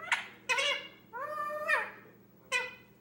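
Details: A 10-month-old male Indian ringneck, a pet that began talking a month earlier, babbling alone while playing: short harsh syllables, a longer slurred harmonic phrase that dips and rises, then another clipped note.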